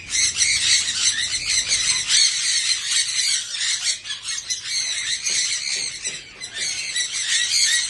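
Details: Australian parrots fed corn cobs as winter food, calling while feeding: dense, continuous shrill chattering and squawks from several birds at once, loud throughout with small dips, no other clear sounds.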